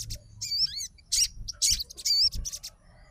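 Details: Short run of a sogon fighter answering another sogon: a few separated high, wavering whistled phrases with gaps between them.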